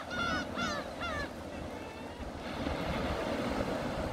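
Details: Three quick, harsh, nasal gull cries from seagulls on a beach in the first second and a half, then steady surf and wind noise.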